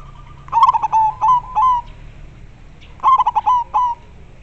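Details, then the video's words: Local zebra dove singing actively with a very clear voice: two stuttering cooing phrases, each a quick run of low, pulsing coos ending in a drawn-out note, separated by about a second of quiet. "Perkutut lokal gacor sangat jernih bikin semua panik suara nya"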